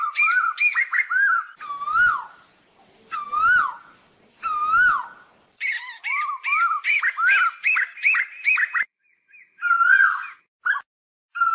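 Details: Asian koel calling its flock: loud, clear whistled notes that dip and then rise, with strong overtones, given in quick runs and in separate spaced phrases, with abrupt breaks between passages.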